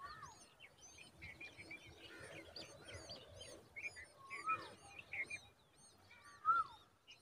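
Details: Common babbler chicks in a dense tree: scattered high thin chirps and short tweets overlapping, with a few louder slurred notes in the latter half; steady outdoor background noise.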